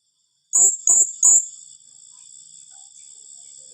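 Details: Blue-crowned hanging parrot, "tembakan rapat" rapid-fire call style said to rattle opponents: three sharp, very high squeaky notes fired off within a second, followed by a faint steady high hiss.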